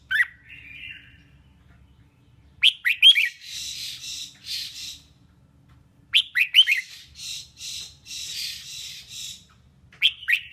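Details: Female red-whiskered bulbul singing to stimulate males; a brief whistled note and a short buzzy trill open, then two bursts of sharp rising whistles, each followed by a string of harsh, raspy notes, with a faint low hum throughout.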